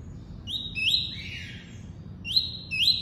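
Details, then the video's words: Tuí-tuí song of a double-collared seedeater: rising whistled notes that level into long high tones, a softer lower slurred note between them, then two more rising whistles near the end. "COLEIRO FLASH ENCARTE (TUÍ-TUÍ)"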